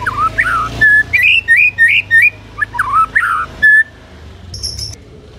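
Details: White-rumped shama in loud song meant to provoke other shamas into answering: rich whistled phrases with rising and falling slurs around mid pitch, quick repeated notes, a pause, then a brief high buzzy trill.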